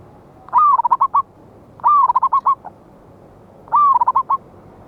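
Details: Loud local wild zebra dove recorded 11/8/24 as a trapping lure: three identical phrases about 1.3 seconds apart, each a long slurred coo followed by four or five rapid, clipped coos.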